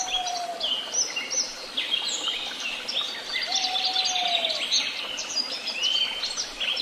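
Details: Several birds sing at once in Tehidy Woods, a dense weave of high chirps, trills and short whistled notes, with two long, steady, low whistles standing out below the chorus.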